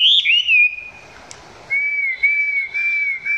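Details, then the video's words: Chinese hwamei singing at close range, not yet at peak intensity; clear looping whistles open the phrase, a brief pause follows, then a long, level, slightly wavering whistle. "Quay gần em mi hót chưa căng lắm nhưng tạm chơi được"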